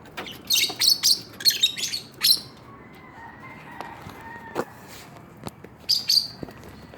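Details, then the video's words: A pair of Philippine hanging parrots give thin, shrill, high chirps in quick clusters of four or five, then a pause and another brief pair, with faint lower whistles underneath. "Philippine Hanging Parrots"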